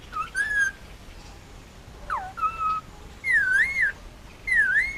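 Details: Male Indian ringneck parakeet, almost two years old, hand-fed and raised on Oahu, Hawaii, making noises: four clear whistled phrases, each a wavering rise-and-fall tone, separated by short pauses, the last two longer and more undulating.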